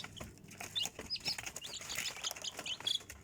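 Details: Young chickens giving scattered high, thin peeps, short sliding whistles spaced a fraction of a second apart, with soft scratching and shuffling beneath.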